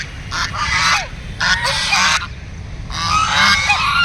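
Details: Several ducks quacking together in three loud surges of harsh, nasal, overlapping calls separated by short quieter moments.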